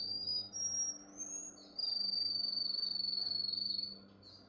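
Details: Canary training song: whistles rising in steps, then a long, very rapid buzzy roll held at one high pitch for about two seconds before fading.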